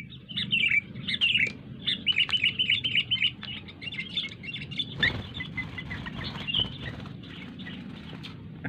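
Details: Sooty-headed bulbul giving quick, bubbly chirps and short whistled phrases, several per second, over a low background hum, played from a phone to train wild-caught bulbuls.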